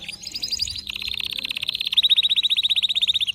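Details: Canary singing a long rapid trill of repeated notes that grows louder and rolls steadily, distinctive notes in the song.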